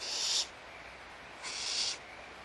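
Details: Barn owls at feeding time in their nest at Audubon Starr Ranch Sanctuary, March 2011; two short, rough hissing screeches about one and a half seconds apart against a faint steady hum.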